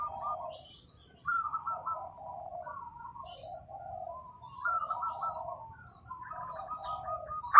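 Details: Zebra dove of a local strain cooing in soft, stuttering phrases of quick notes, alternating higher and lower segments, with short pauses between bursts and a light click at the end.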